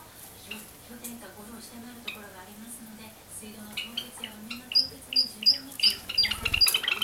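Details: Java sparrow chicks, 26 and 24 days old, filmed about 20 cm from the camera with a parent nearby during regurgitation feeding; sharp high chirps burst rapidly in the second half over a steady low hum and light clattering.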